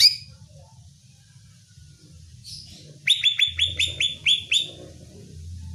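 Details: Greater green leafbird (cucak ijo) song meant to rouse a kept bird's aggression: a brief shrill note, a scratchy burst, then a rapid series of about eight clear descending whistled notes over faint low hum.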